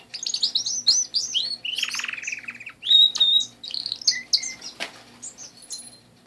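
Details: Pet canaries singing a varied warbled song with short chirps, a harsh buzzy rolling phrase, clear pure whistles and brief twitters, broken by a sharp click and short pauses, over a faint steady hum.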